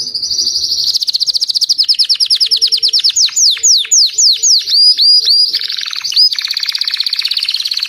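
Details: Belgian canary, white with a crest, sings a high rapid trill that breaks into a series of loud sweeping slurred notes, then a fast buzzy roll.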